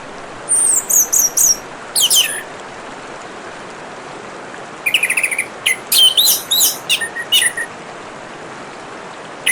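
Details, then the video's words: Orange-headed thrush singing with running water in the background: high twittering phrases at the start, a long quiet gap, then a dense run of rapid chattering notes and sharp whistled slurs. "Kicauan Burung Anis Merah dan suara Gemericik Air"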